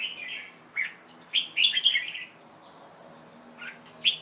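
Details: A young male Red-whiskered Bulbul sings on a late afternoon, 1 January 2012, freshly bathed and about to be covered to rest: a fluid warbled phrase of rising and falling chirps, then a pause and two short sharp notes.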